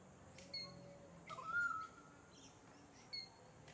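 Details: Pied currawong filmed on the Sunshine Coast, Queensland, in October 2024; a single clear whistled note slurring slightly upward and held about half a second, with faint chirps of other small birds around it.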